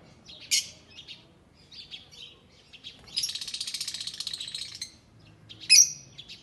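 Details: Green Fischer's lovebirds singing and chirping: scattered high squeaky chirps, then a dense buzzy chattering run lasting nearly two seconds, ending with a sharp shrill note.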